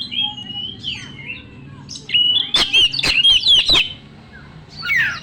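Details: Loud lure song of a young wild Oriental magpie-robin, full of mimicked phrases: sliding whistles, then a burst of quick looping notes mixed with sharp clicks, fading into softer descending whistles at the end.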